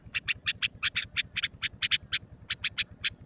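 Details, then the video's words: Nightingale sound offered as a lure for hunting: a quick run of harsh, buzzy, squawking notes, about six per second with a few short gaps, sharp and high, over a faint low steady hum. "nightingale original sound. for hunting. بلبل کی آوازیں. شکار کیلئے"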